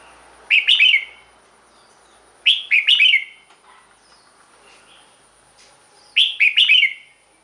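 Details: Red-whiskered bulbul song used to excite caged birds: a compact bubbly phrase of four quick whistled notes, given three times about two to four seconds apart, with faint background noise and a thin high tone.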